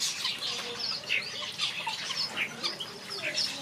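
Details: Backyard aviary finches in full chorus: rapid, bright chirps and sharp squeaky notes tumble over one another without pause.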